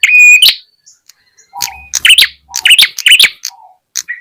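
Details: Lure call of the ashy tailorbird for drawing in small wild birds: an opening ringing note, then quick clusters of sharp, scratchy chirps and brief low whistles.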